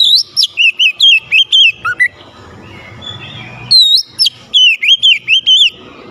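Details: Persistently singing oriental magpie-robin, played to excite a lazy magpie-robin: two fast runs of rising-and-falling whistled notes separated by a quiet gap of low hum.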